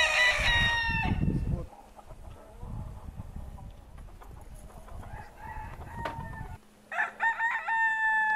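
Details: Decorative chickens, Brahma hens and roosters, in Altai on February 24, 2016: a loud, harmonic, crowing call opens the recording, low rumbling noise follows for several seconds, and shorter ringing calls return near the end.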